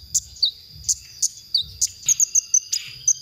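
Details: Konin masteran for training songbirds: spaced sharp chips and falling whistles, ending in a quick run of short high notes, with faint low background noise.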